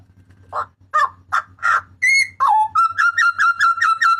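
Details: Papuan butcherbird, its loud cry used to train cage birds: several harsh barking notes, a rising whistle and drop, then a quick, regular volley of sharp ringing notes about seven per second, with low background hum.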